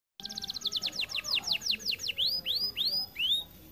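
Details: Canary singing, described as lazy to sing because it is too fat: a fast run of descending whistled notes, then slower upswept chirps, roughly three notes per second.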